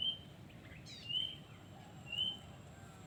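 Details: Wild yellow-vented bulbul: a clear, slurred whistle rising near the end, given about once a second, with faint higher notes and a low background hum.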